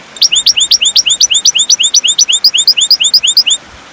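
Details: European goldfinch song for training caged birds to sing: a steady, rhythmic string of high upswept chirps, roughly six per second, running for over three seconds before stopping.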